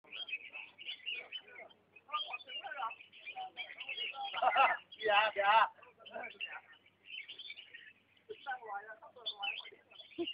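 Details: Captive red-whiskered bulbul, recorded 4 June 2014, singing while dancing: bright, bubbly warbled phrases about once a second with a louder burst midway; a voice-like sound may also be present.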